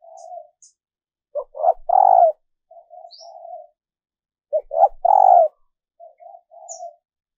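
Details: Female dove call aimed at attracting males: two matching phrases, each with short stuttering notes rising into a loud low coo, then a softer double coo, separated by about three seconds.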